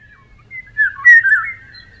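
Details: Eurasian golden oriole singing a short fluted phrase of liquid, yodelling whistles that rise and fall, loudest in the middle, over a faint low rumble.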